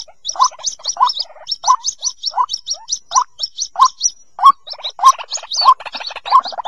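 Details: White-breasted Waterhen chicks give thin, high peeps with lower, gurgling notes, about twice a second in a steady, busy run. The recording is used as a lure for waterhens that won't leave the bushes.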